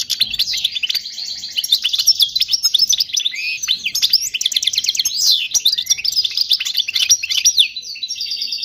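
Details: European goldfinch singing a clean song used to teach fledglings: rapid, unbroken twitter of high metallic chirps and liquid trills, tightly packed notes with a few buzzy slurs, clear and free of background noise.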